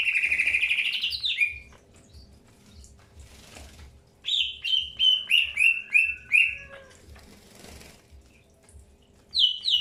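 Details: Greater green leafbird during early pairing: a long buzzy whistle, a quiet spell with faint rustling, then six evenly spaced descending whistled notes and a final sharp note.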